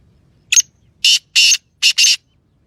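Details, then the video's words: Titer, a francolin, calling in the Sindhi style with a brief rough lead note and four strong harsh buzzy bursts, the closing two run together, in a quiet setting. "Titer Awaz Sindhi Patha Beauty Voice"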